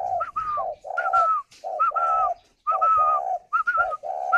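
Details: Incubating spotted dove at a northern Vietnam bird farm: rapid alternation of low hollow coos and higher clear whistled notes, several phrases run together with one brief pause.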